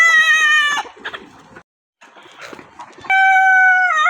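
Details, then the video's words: A crow ends in a sharp falling tail, then comes a pause with soft clucks and a moment of silence, and another rooster crow begins loud and level. "Rooster crowing compilation || rooster crowing sound effect 2023"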